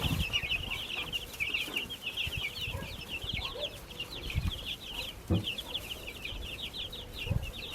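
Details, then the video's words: Baby chicks in a backyard brood peeping steadily, many brief high chirps in a dense stream, some softer lower cheeps, and intermittent thumps and scratching. "Baby Chicks Chirping Sounds"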